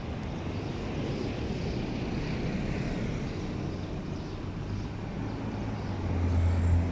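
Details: Continuous low droning engine or aircraft noise that grows louder toward the end, with no animal voices.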